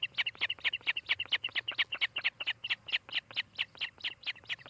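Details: Osprey calling at its nest near Charlo, Montana, captured by a nest cam in July 2018; a loud, rapid run of high, piercing chirps, about two per second, each note slightly doubled, continuing without pause.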